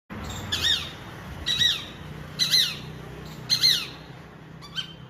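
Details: Peregrine falcon making an angry sound: five harsh, rasping squeals, each with a downward slur, repeated about once a second with uneven spacing, over a low steady hum.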